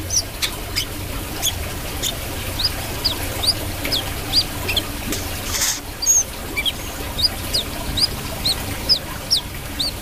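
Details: Active brown-throated sunbird song: quick, high, arched chirps repeated irregularly about twice a second, with a sharp rustle midway and steady background hiss.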